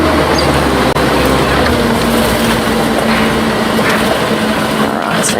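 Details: Steady vehicle engine rumble with faint murmured voices and a brief knock, no animal calls.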